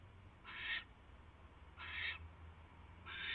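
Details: Barn owl at its nest, 10:22 PM, 22 January 2016, with a mouse being brought in; three drawn-out rasping hisses, each about a third of a second, separated by pauses over a low hum.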